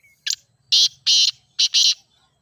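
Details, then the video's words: Grey francolin, the teetar, in a calling sequence meant to start a kept bird calling: a brief rasping note opens, then two drawn-out harsh syllables and a short-long pair, loud and strident. "Teetar Voice for Calling"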